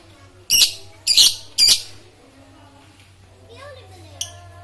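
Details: Lovebird calling: three loud, harsh, broadband squawks in quick succession, each under a quarter second, followed by quieter faint chirps and a final short sharp note; steady low hum throughout.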